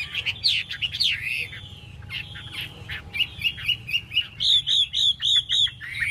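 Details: Chinese hwamei spreading its wings while singing: slurred whistles open the phrase, then a rhythmic series of short bright whistled notes repeated about twice a second, ending on a falling whistle.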